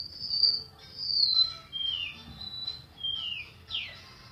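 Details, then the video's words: Golden-bellied gerygone singing a run of high, sweet whistled notes, several slurring downward, delivered in an uneven wandering series about once per second over soft background noise. "suara burung remetuk laut"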